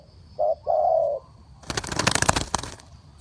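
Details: Spotted dove, used as a trapping decoy, gives one quick coo pair, a brief note then a drawn-out one, followed by a burst of rustling, flapping-like noise.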